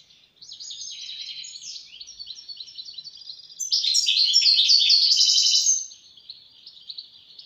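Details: A European goldfinch sings softer twittering phrases, then bursts into a loud, fast, liquid medley of chirps and trills lasting about two seconds before fading to quiet twitters.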